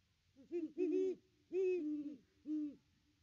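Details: On a branch by the nest tree, December 25, a Great Horned Owl utters five or six deep hoots of differing lengths, a doubled note early, a long one mid-phrase and a short closing hoot.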